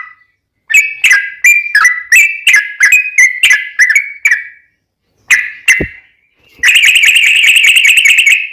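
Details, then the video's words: Yellow-vented bulbul song used to lure other bulbuls into song: a run of chirpy slurred whistles, a short gap, then a long rapid rolling trill of bright bubbly notes. "trucukan gacor ROPEL PANJANG buat pancingan trucukan agar bunyi"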